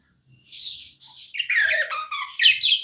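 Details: Budgerigar kept as a pet giving a short burst of harsh squawky chirps that slide down into lower warbled notes.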